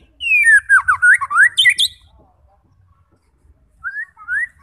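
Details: A white-rumped shama, used to provoke other shamas into singing, pours out a rapid run of rich, varied whistles sliding up and down with sharp high notes, then adds two rising whistles after a short pause.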